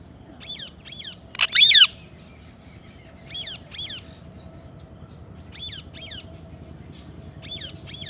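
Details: Green ringneck parrot calling with a series of harsh, nasal squawks in pairs, one loud close burst among softer, more distant repeats spread across the clip.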